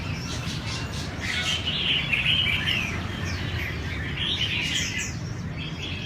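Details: Red-whiskered bulbul practising contest singing, delivering lively warbled chirps that peak in the middle and return near the end, steady low background noise throughout.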